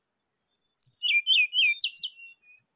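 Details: Rufous-chested flycatcher song used to coax a kept bird into singing its varied repertoire: a quick, loud run of high, sweet, slurred whistles and twisting notes, each slightly different, lasting about two seconds in quiet surroundings.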